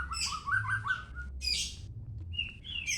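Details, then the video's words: White-rumped shama, known locally as murai batu medan, singing a quick run of clear whistled phrases: a rolling series of mid-pitched notes followed by bright, sharp high bursts and short rising whistles. "murai batu medan"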